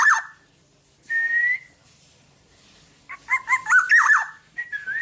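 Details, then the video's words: Black-naped oriole in vigorous song, kept as a master recording for tutoring other birds: a drawn-out fluty whistle, silence, then a rapid run of rich, yodelling whistled notes that dip and rise, ending in two clear slurred whistles. "Burung Kepodang Podang gacor buat masteran"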